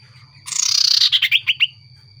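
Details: Common iora (cipow sirtu) used as a lure to make others respond: a rasping buzzy rattle that breaks into a handful of sharp descending high notes, with a faint low hum underneath.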